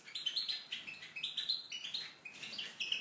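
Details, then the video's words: Aviary-kept Tunisian goldfinch delivering continuous rapid song, liquid high-pitched twitters and chattering notes strung together with barely a break. "chardonneret tunisien (volière)"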